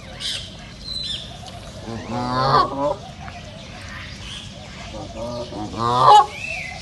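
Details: Reserve duck calls: two separate harsh, buzzy honks several seconds apart, each rising and falling in loudness, with faint chirps from other birds between them.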